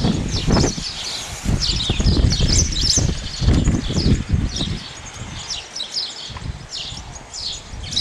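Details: Repeated short chirps of a male house sparrow, loosely spaced, partly covered by heavy low thudding and rustling noise in the first half.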